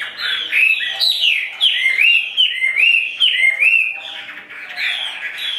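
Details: Caged Chinese hwamei singing loud, varied whistled phrases, each note sweeping down then up, delivered in quick, irregular bursts with short gaps between them.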